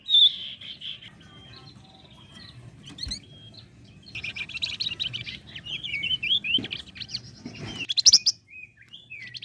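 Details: Flame-breasted flowerpecker in lively song, used as a lure for competition songbirds: a varied run of sharp high chirps, short twittering phrases and buzzy trills, with occasional thin whistles and brief clicks.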